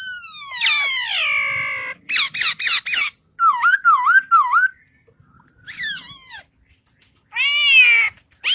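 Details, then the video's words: Singing bird giving a squeaky, strongly varied song: a descending sweep with many overtones, a quick buzzy rattle, wavering dipping whistles, then further squeaky sweeps separated by short pauses. "Singing bird"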